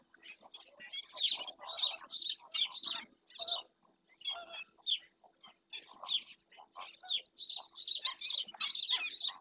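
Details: Webcam recording of a black-winged stilt in Doñana National Park: clusters of harsh, high, chattering yelps broken by short gaps, with rapid excited runs at the start and end.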